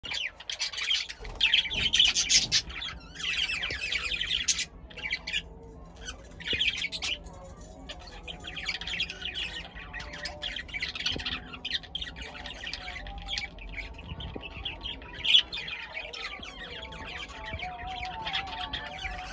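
A male budgerigar warbles continuously, a busy stream of chirps, clicks and squawks during courtship.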